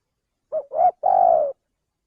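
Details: Male spotted dove coo played as a lure for catching birds. Three-part phrase: a brief opening note, a louder rising note, then a sustained even coo lasting about half a second. Quiet background.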